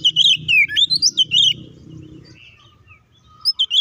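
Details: Oriental magpie-robin fight song, used as a lure to rile other kacer: a fast burst of twisting whistles, then a quiet stretch, ending with a few more sharp notes.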